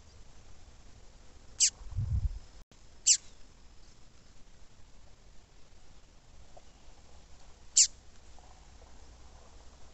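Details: Female Double-collared seedeater calling repeatedly, used to warm up males into singing: three thin, high, downward-slurred notes at irregular gaps over ten seconds, with a brief low thump and faint background noise.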